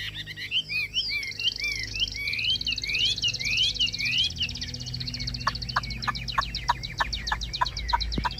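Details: Chinese hwamei in a cage, singing strongly: rich looping whistled notes bending up and down in quick series, then a string of short sharp clicks repeated about once every half second.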